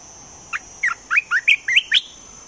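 An olive-winged bulbul gives a quick, bubbly phrase of about seven short warbled notes, over a thin, steady high whine in the background.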